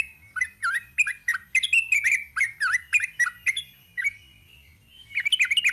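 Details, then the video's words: Rapid chattering song of a sooty-headed bulbul, sung in the 'ropel panjang' style, with dense bursts of bubbly slurred notes, a quiet gap near four seconds, then a fresh fast flurry at the end. "Kicau TRUCUK ROPEL PANJANG."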